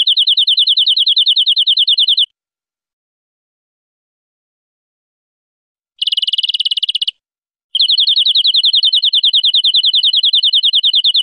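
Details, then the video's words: European greenfinch song recording for aviary use: long, fast, even trills of bright rattling notes, with brief pauses between bursts and no other sounds. "GREENFINCH SONGS"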